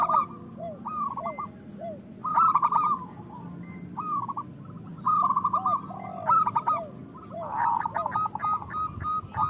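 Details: Several local zebra doves in loud song meant to arouse breeding desire: short cooing bursts and rapid trilled phrases alternating with descending coos, irregularly spaced, overlapping birds, steady low background hum.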